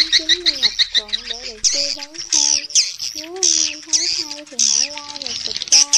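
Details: Edible-nest swiftlets' outdoor flock-calling sound, used to lure swiftlets to a swiftlet house. Several birds call at once in rapid, dense bursts of shrill chirps and twitters, layered over lower, wavering tonal notes.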